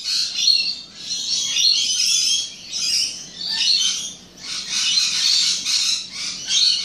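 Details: Rainbow lorikeets on the Gold Coast, Australia, keep up a dense, shrill screeching chatter, harsh overlapping calls swelling and fading in bursts of a second or two.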